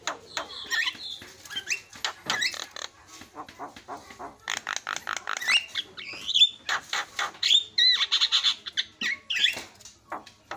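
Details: Javan myna song played as a lure to trigger singing in quiet birds: dense, harsh chattering with scratchy bursts and short bright whistled squeaks, a busy, irregular mix throughout.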